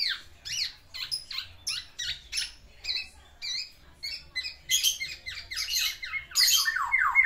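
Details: Caged black-naped oriole singing hard to court a female, giving its learned fill-in phrases: a run of sharp, buzzy down-slurred notes in quick bursts, turning to harsher, denser chattering phrases in the second half, recorded indoors.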